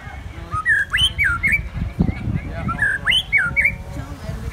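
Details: Contest-singing white-rumped shama delivering rapid strings of clear, looping whistles that swoop up and down, phrases following closely one after another over a noisy backdrop of low rumbles and distant voices.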